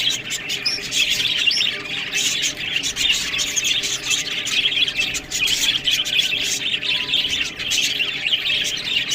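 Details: Budgerigars eating green food, a flock giving a dense, continuous high chatter of overlapping chirps, squeaks and warbles, with sharp clicks and ticks throughout and no clear pauses.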